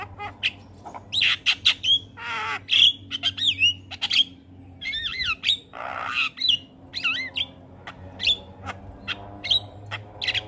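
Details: Javan myna singing for young birds to learn from: repeated sharp whistles with wavering pitch, rasping squawks and rattling clicks, steady low hum underneath.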